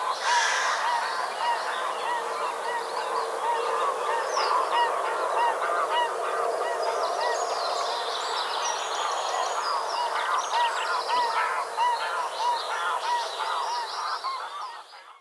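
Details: Pink-footed geese flying over a hide and landing near Kirriemuir, calling throughout: dense, continuous chorus of honking, yelping notes overlapping from many birds, loud from the start and fading slightly near the end.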